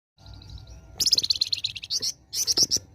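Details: Flamboyan bird singing vigorously, described as gacor, in besetan style: a soft high thin trill, then bursts of rapid bright chirps and sharp high notes with short pauses between them.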